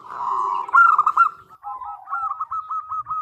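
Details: Calling female zebra dove luring a male: a loud, drawn-out coo rolls into a quick stuttering trill, then softer hooked notes repeated in a fast descending run.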